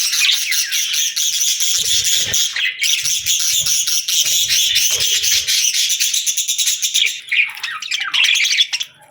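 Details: Parakeets chirping in summer, a continuous, steady wash of high buzzy chatter from many birds, easing off at the end.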